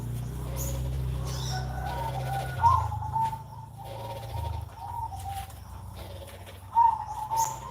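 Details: Zebra dove (perkutut) cooing on a Sunday morning: phrases of warbling mid-pitched coos with brief louder accents, over a steady low hum and faint high chirps.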